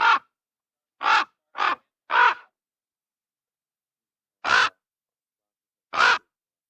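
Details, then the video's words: A raven gives six harsh, hoarse croaks: a quick run of four, then two more spaced about a second and a half apart, with nothing else heard. "What does a Raven sound like?"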